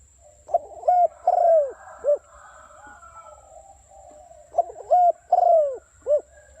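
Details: Spotted dove lure call for trapping, strong and rapid 'thúc bổi' style. The four-part coo phrase comes twice, about four seconds apart, each ending in a short arched note. Quieter warbling calls fill the gap, and a faint high tone persists throughout.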